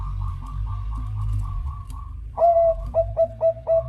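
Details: Bangkok zebra dove singing to draw other birds into joining: a quieter, rhythmic coo series gives way to a loud, bright run of short rolling coos repeated about every half second, over a low rumbling background.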